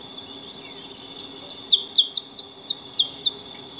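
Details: Saffron finches (Sicalis flaveola), several birds feeding at a house: about a dozen sharp, high, downward-slurred chirps at an uneven quick pace, roughly four a second, over a steady thin high whine.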